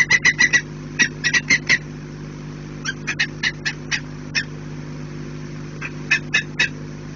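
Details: A saker falcon on 17 March 2018 flies in screaming as usual, though no chasing falcons are visible. It gives harsh, scratchy calls in quick bursts of three to five notes with short pauses, over a steady low hum.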